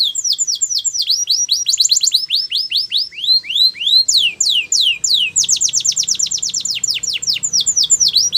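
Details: Russian canary, flute singing: successive strings of swooping, falling whistles at varying speeds, a brief pause near the middle, then a dense rapid trill; faint low hum underneath.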